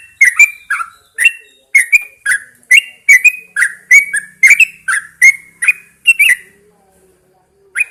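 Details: Caged Yellow-vented Bulbul hung outdoors in the early morning to encourage singing: rapid series of short bubbly, chattering whistled notes, roughly three per second, pausing near the end before one last note.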